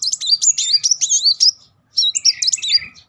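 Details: Van Hasselt's sunbird with two short bursts of high, squeaky, looping warbles split by a brief pause. These 'nembak' bursts lure young or stalled sunbirds into singing.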